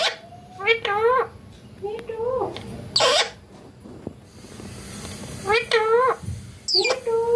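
A parrot gives short, nasal, speech-like phrases and squawky calls in bursts every second or two, their pitch wavering up and down, in a quiet indoor room.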